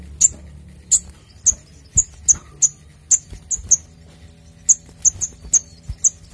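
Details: Brown-throated sunbird (sogok ontong) in clear song meant for luring and training: a steady series of very high, short, sharp chips, repeated roughly every third of a second to half second, over faint low hum.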